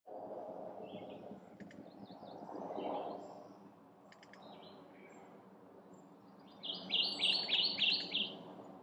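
A Kentucky warbler gives a loud, rolling run of five or six quick, rich two-note phrases near the end. Faint chirps come earlier over a low background rumble.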